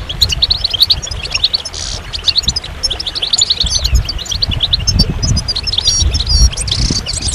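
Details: Goldfinch song: dense, rapid high twittering of short chirps and liquid trills runs almost without pause, with soft low rumbling underneath throughout.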